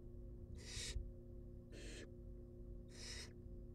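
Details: Baby barn owls begging at feeding time in a wild nest box: three loud, noisy, breathy hisses, evenly spaced about every 1.2 seconds, with a low background hum.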